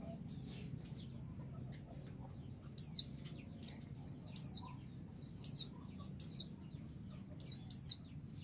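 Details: Female white-eye calling the male to provoke him into answering: loud, high, sharply descending whistled sweeps repeated about every second, over constant thin, high twittering and a low background hum.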